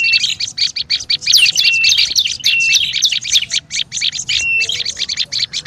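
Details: Olive-backed tailorbird in a noisy lure recording: a dense, nonstop stream of sharp high chips and twitters, with short flat whistled notes slipping in around the middle and near the end.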